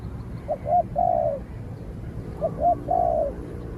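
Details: Spotted dove calling during a contest with a wild dove that keeps its distance before being driven off. Two mellow phrases, each two brief hoots and a longer falling coo, spaced about two seconds apart, with low background rumble.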